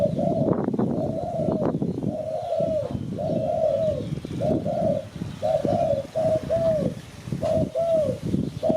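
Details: Spotted dove, Malaysia, its call used to lure birds for catching. Low hooting coos repeat steadily in short groups, half buried under constant crackling and thudding noise.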